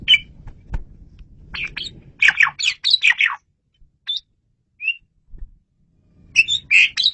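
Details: Asian pied starling song, clear and loud, played for luring birds: a jumble of squawky, buzzy and whistled phrases, short isolated chirps, then another burst of loud mixed notes.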